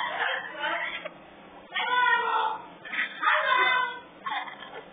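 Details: At a parrot rescue, three African grey parrot chicks give drawn-out, nasal, wavering cries in four long bursts separated by short pauses, indoors.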